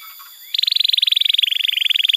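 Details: Canary tutor song for young canaries: faint soft sounds, then a sudden rapid, even, buzzy trill of closely spaced pulses held steadily to the end.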